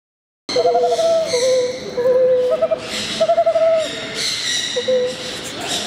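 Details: In the breeding season at Kakegawa Kachoen bird park in Japan, a hand-raised western screech owl courting a staff member's hand gives soft, mellow hoots that break into quick stuttering trills, over faint indoor background noise.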